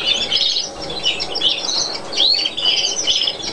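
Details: Mutation European greenfinch recorded on Chios, Greece, in 2012: a busy, bright twittering of short chirps, rising slurs and buzzy notes that shift rapidly, with no pause between phrases.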